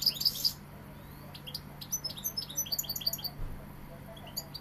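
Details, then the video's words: European goldfinch, called Sevillian, opening with a loud cluster of sharp high notes, then a quick series of thin, clipped tinkling chirps repeated several times a second, with a faint hum underneath. "Jilguero sevillano"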